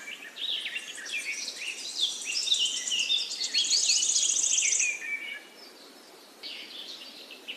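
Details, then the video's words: Orange-spotted bulbul with busy, overlapping bursts of high chirps and twittering notes for about five seconds, then quieter with a few scattered short calls. "ORANGE-SPOTTED BULBUL"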